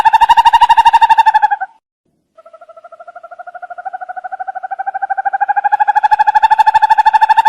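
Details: Owl giving a steady, fast pulsed trill on one low pitch, very evenly repeated. It breaks off for under a second, resumes softly and swells back to full loudness.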